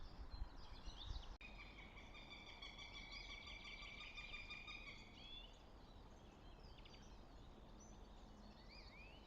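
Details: Northern goshawk at the nest near Tartu, Estonia, on 26 April 2025. A harsh, rapidly repeated call forms a steady run of several seconds, over a low rumble of background noise with faint small-bird chirps.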